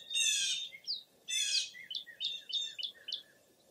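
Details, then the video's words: Birds on a foggy, early April morning at Mirror Lake State Park in Baraboo, Wisconsin: two harsh, buzzy bursts about a second apart, then a quick run of short, high chirped notes, several rising, over faint background hiss. "Birding By Ear at Mirror Lake State Park"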